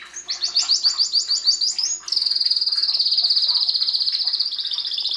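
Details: A canary sings a string of quick rising chirps, then switches to a sustained, very fast high trill lasting about three seconds.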